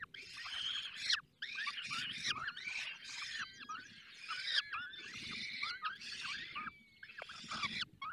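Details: Falcons feeding at a nest in the Barycz Valley give continuous hoarse, wavering screams with bending harmonic wails, broken by brief gaps, over a soft low rumble.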